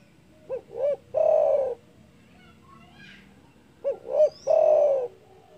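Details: Spotted dove giving a loud, big-voiced call said to provoke rivals: two phrases, each of two short rounded hoots followed by a long, drawn-out, slightly falling coo, with a quiet pause between them.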